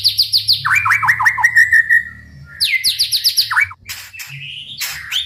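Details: White-rumped shama song used to goad other shamas into singing: rapid series of sharp downslurred notes, a sustained whistled tone, then fast repeated high chips and rising whistles, over a faint low hum.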